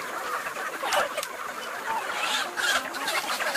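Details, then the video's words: Large farm flock of roosters and chickens running at feeding time: a dense, continuous chorus of overlapping clucks and squawks. Louder bursts come and go, and no single bird stands out. "Flock of Roosters and Chicken at Feed Time"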